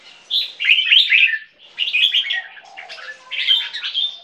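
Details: A 2-year-old caged bulbul, an Asian Black Bulbul crossbred with Red-whiskered Bulbul lines, sings three bright, chattering phrases of quick warbled notes. Each lasts about a second, split by short pauses.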